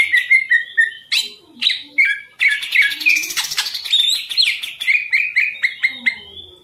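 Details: A caged green leafbird kept for song contests sings a rapid, rich run of varied whistles, chirps and buzzy trills, mostly high-pitched and nearly unbroken, with no other clear sounds.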